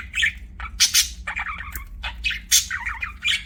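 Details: Lively budgie chirping from pets: loud buzzy squawks and warbled, wavering notes follow each other closely, with a soft hum in the background.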